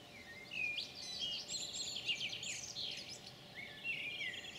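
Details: European pied flycatcher (Ficedula hypoleuca) song, recorded 9 June 2019: high, quick, sweet phrases of trills and sliding notes run together over a soft steady background hiss.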